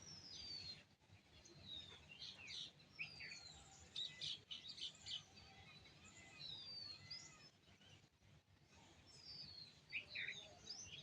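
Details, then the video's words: At sunrise, a busy morning chorus of several birds: high sliding whistles, sharp chirps and short twittering bursts come in quick, irregular succession, several every second, with a faint low background rumble. "Morning birds chirping sound"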